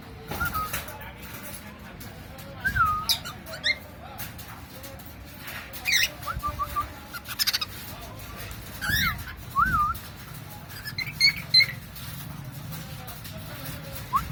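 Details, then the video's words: Pet cockatiel making scattered short whistled chirps and slurred squeaks, bursts every one to two seconds across the stretch, with faint background hum and a person's voice nearby. "Funny sounds by Jackie the cockatiel"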